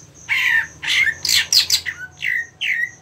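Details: Caged greater green leafbird (cucak ijo) kept for songbird competitions, prepared with a contest setting. It gives loud, varied squawky and whistled phrases, some slurred downward, in bursts about every half second, over a faint steady high-pitched ticking.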